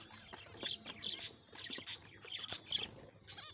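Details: Zebra finches in a breeding colony of six pairs, pairing and courting, December 4, 2022, giving short, high, nasal chirps and clicks in quick irregular bursts with scratchy clatter between calls.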